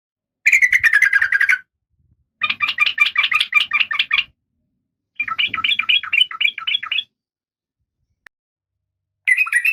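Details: Female oriental magpie-robin, in breeding condition and calling the male, gives a series of harsh, rapid rattling bursts lasting one to two seconds, separated by short silences.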